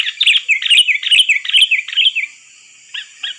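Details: Sooty-headed bulbul calling as a trapping lure: a quick run of bubbly downslurred chirps for about two seconds, then two lone soft notes after a pause.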